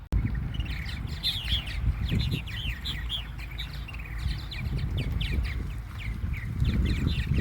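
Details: Colony of purple martins at Fireman's Beach, Conneaut Lake, choosing mates; bursts of liquid, rising and falling twittered notes overlap throughout, set against low wind noise.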